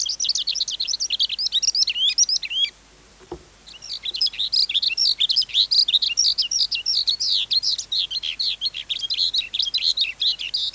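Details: Adult wild-caught skylark song, kept as tutoring audio for young caged birds: high, rapid twittering and trilled phrases, halted by a short silence with a click, then resuming in a dense, unbroken flow.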